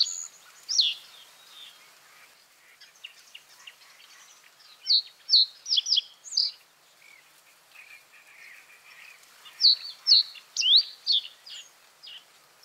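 Reed bunting song: short, jerky phrases of three to five sharp, high chirps, repeated every few seconds, with faint scratchy twittering between.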